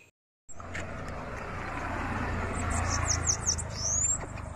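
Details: A Bananaquit, nicknamed "tanque de guerra", in Rio Grande do Norte, Brazil, sings a quick run of very high, thin, sweeping notes growing more excited toward the end, over a steady low rumble.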